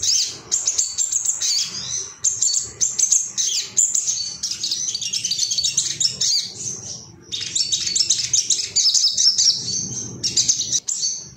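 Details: Long, dense stream of high, scratchy twittering and quick chips from an agitated Ruby-cheeked sunbird seeking rivals, with one short gap, played as material to make birds sing.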